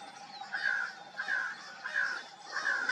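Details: At dawn a crow gives drawn-out, slightly slurred caws, four in three seconds, with other faint bird notes and a low hum in the background.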